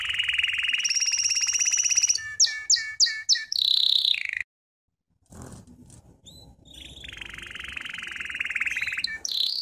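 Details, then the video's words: ['Training song of a Belgian canary: a fast buzzy trill, a run of five spaced chirping notes, then a pause of about a second before a quieter trill rises into a loud rapid roll.'] "CANTO CANÁRIO BELGA"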